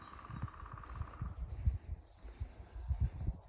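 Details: Lesser spotted woodpecker at Dalby, Sweden, on 19 April 2022: a fast, even rattling series of short notes lasting just over a second, faint against low rumbling wind, with a thin high whistle from another bird.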